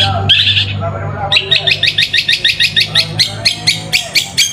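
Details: ['Lure song of a long-tailed shrike meant to provoke silent birds: a short rasping burst, then a steady string of scratchy, clipped notes about two per second over a low hum.']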